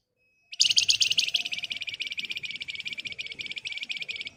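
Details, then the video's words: Flamboyan bird singing vigorously in a dense, rapid 'ngebren' style, used as a lure to get other birds singing: a fast, buzzy train of high, sharp chirps, about three per second, strongest at the start, then steady. "Burung Flamboyan Gacor Emosi Ngebren Rapat Nyerecet Cocok buat Pancingan agar cepat Nyaut"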